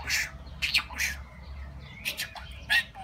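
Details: Pet talking budgerigar declaring its love, real recording edited to get other budgies talking; bursts of raspy, squawky chatter and speech-like syllables, with quiet gaps and a steady low room hum.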